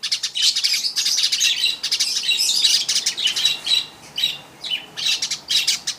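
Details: A weaver sings busy, scratchy chatter mixed with thin, high whistled notes, loud at first and then broken into shorter bursts.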